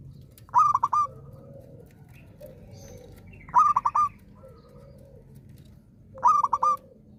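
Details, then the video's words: Zebra dove, a lively bird that sings often, delivering three bursts of rapid staccato cooing notes, four or five per phrase, roughly every three seconds, with soft low cooing and a faint hum between phrases. "perkutut gacor rajin manggung"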